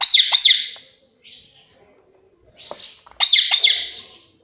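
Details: Pet parrot that talks: two bursts of sharp, high, harsh chirps with a quieter squeak between, clean indoor background.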